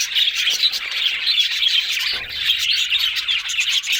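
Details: Budgerigars twitter and warble continuously, with quick high chirps, brief whistles and a soft low thud around the middle.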